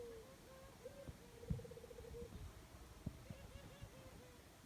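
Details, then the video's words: Dove calling in the jungle: soft, low hollow coos in short separate notes, then a quick bubbling run of rapid notes, then more short evenly spaced coos, over faint low rumbling and a few sharp clicks. "Dove birds sound jungle"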